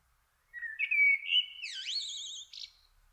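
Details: Common kestrel, recorded in June 2024 while the father prepares food for the family: a single drawn-out call, starting flat and squeaky, climbing steeply, then holding high as a fast wavering trill before a short final note.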